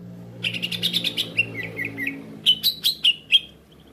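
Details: Greater Green Leafbird call used as a trapping lure to draw other leafbirds that respond quickly: a fast run of short chirped notes, then a few slurred downward whistles, then a louder series of sharp chirps, over a low steady hum.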